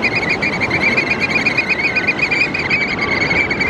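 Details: Oystercatchers calling in a way that sounds like laughing. A continuous fast run of shrill, evenly pulsed piping notes holds on one high pitch throughout, over loud rushing wind or surf.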